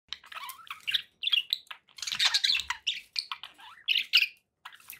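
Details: Pet budgerigars chattering in bursts of scratchy, buzzy chirps and warbles, mostly high-pitched, with short squawky notes and brief pauses between phrases; a faint low background hum underneath.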